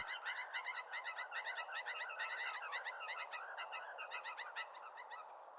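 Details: Wild Blue Jays gathering for hand-fed peanuts in summer give a busy stream of harsh, nasal chattering notes, two or three a second, overlapping and mid-pitched, with no other clear sounds.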